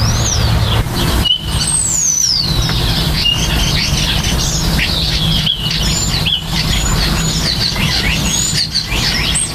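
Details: Common starlings during nesting and nest building: clear slurred whistles sliding down from very high to mid pitch, mixed with short chirps and buzzy notes, over a steady low rumble.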